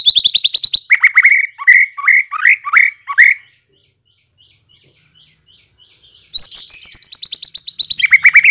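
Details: White-rumped shama song played as a lure to make birds respond: a fast trill of high notes, then loud downslurred whistled phrases, a pause with faint distant notes, then another rapid high rattling trill.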